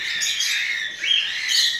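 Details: Lovebird chicks being hand-fed formula from a spoon give a steady, raspy, high-pitched begging chatter that swells and rises briefly twice.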